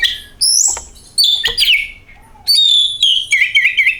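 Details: Oriental magpie-robin song used as a lure to make the bird sing: loud phrases of pure whistles and sweeping notes, some warbled and trilling, with short gaps between bursts.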